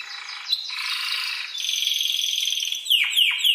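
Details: Spanish timbrado canary song used as a tutor recording for training other birds' phrasing. Continuous rolling, buzzy trills hold a steady high pitch, shifting tone about midway, then finish with several quick, sharply descending whistled notes.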